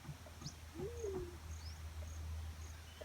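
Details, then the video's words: A single soft hoot from a Black-chinned fruit dove, climbing slightly and then sliding down, amid scattered faint high bird chirps and a constant low hum. "Natural Sound Call Of A Black-chinned Fruit Dove"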